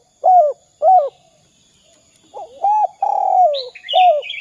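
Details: Spotted dove coos meant to lure other doves into calling: two short arched notes, a pause, then a rising coo, a long falling note and another short coo, with higher chirps from another bird overlapping.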